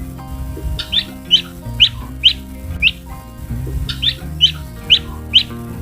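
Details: A male Muscovy duckling gives short, high peeps in quick succession over soft background music; the sound is given as a cue for sexing, since male ducklings usually sound hoarser and wetter than females.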